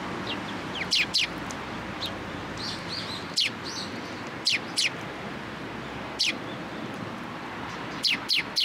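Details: Sparrows coming to a post for food at a Tenmangu shrine on 9 November 2022; sharp, high chirps in quick pairs and triplets separated by short pauses, over a low steady background hum.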